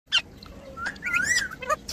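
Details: Parrot talking: a short run of varied warbling and whistled sounds, with a clear rising-and-falling whistled glide in the middle and sharp chirpy bursts at start and end.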